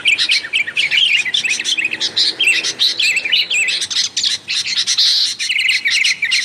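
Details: Lure recording of sooty-headed bulbuls calling noisily: a continuous busy mix of short chirps and wavy, bouncing whistled notes from more than one bird, with no clear pauses.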